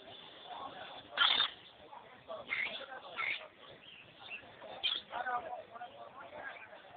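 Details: Several kinds of caged lovebirds chatter in harsh, shrill bursts, with sharp screeches about every second or two over a steady murmur of softer twittering.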